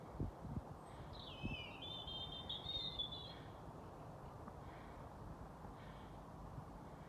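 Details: European robin's dusk song, Haga, Sweden, 21:25 on 28 April 2022: one high, thin, wavering whistled phrase with a falling start, faint over constant low-frequency noise.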